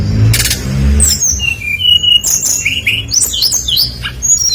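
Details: Brown-chested jungle flycatcher singing a lively lure song meant to draw other birds into singing: clear whistled notes, some slurred and rising, others falling, scattered over several seconds over low background rumble and brief clicks.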